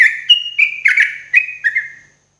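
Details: Sooty-headed bulbul morning therapy song for caged birds: a brief flowing phrase of liquid whistles, several notes sliding downward before it fades out.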